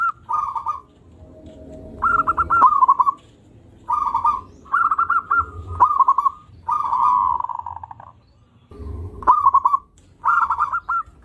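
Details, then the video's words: Zebra dove of local stock in active song: rolling, vibrating trilled coos in phrases of under a second, separated by short gaps, with one longer purring trill near the middle and low background rumble. "Perkutut Lokal Gacor"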